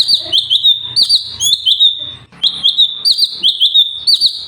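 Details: Sooty-headed bulbul (cucak cungkok) in 'tembakan' song used to train other birds: brisk, evenly repeated high whistled phrases, each ending in an upward flick, with one brief pause midway.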